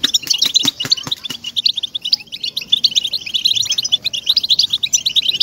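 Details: Song of the European goldfinch for stimulating caged birds: several sharp knocking clicks in the opening second, then a lively continuous twitter of high, jingling notes and buzzes to the end.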